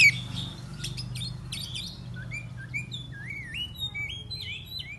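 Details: Oriental magpie-robin morning song: harsh scratchy chatter, then clear whistled notes slurring up and down, several each second, over a steady low hum.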